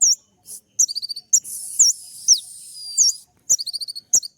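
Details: Gacor kolibri ninja sunbird with a full, sharp 'tembakan' song: quick stuttered high trills, then a long buzzing rattle carrying swooping chirps, ending in more rapid trills.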